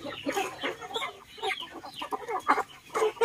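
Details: Mixed flock of chickens and ducks eating in a garden, producing crowded clucking and short squawks in quick succession, with brief brighter calls near the end.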